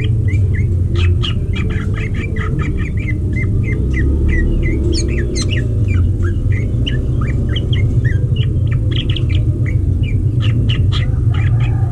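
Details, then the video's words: Greater green leafbirds kept for breeding, observed while mating. A long run of rapid chirps and short squawky notes, some sharp and clicky, continues steadily over a loud low background rumble. "Ngintip Burung Cucak Ijo Kawin"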